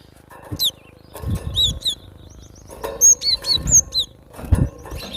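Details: Wild cinereous tit in lively song, piercing whistled notes that rise and fall, delivered in two- and three-note phrases, with rustling and muffled low bumps from movement in between.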